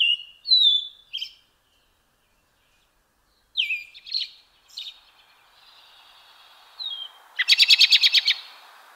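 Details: European robin song of sliding high whistles and twittering notes, then a pause, then more phrases ending in a fast, loud stuttering rattle of repeated notes; faint background hiss.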